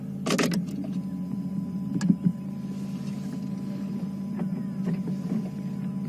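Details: Vehicle engine idling with steady low hum, a few clicks and knocks, and a brief squeak of power windows; no animal calls heard.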